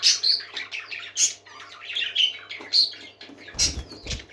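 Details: Happy pet parakeets chattering in a small room, a dense mix of high squeaky chirps, whistles and warbled notes, followed near the end by a burst of wing flapping and low thumps.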